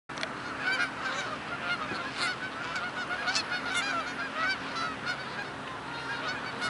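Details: A very large gaggle of geese on soft mud, a dense nonstop chorus of overlapping honks from many birds.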